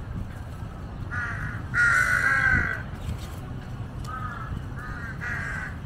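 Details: In a large flock of jungle crows gathered for scraps around a water monitor feeding on a giant snakehead carcass, birds give harsh, hoarse caws: a few short ones, one long drawn-out caw, then more brief caws, over a low rumble.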